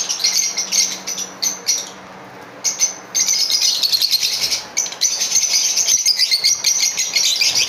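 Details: Pair of green Fischer's lovebirds singing: fast, high-pitched chattering and buzzy twitters in long runs, broken by a couple of short pauses, then an unbroken stream of chirping.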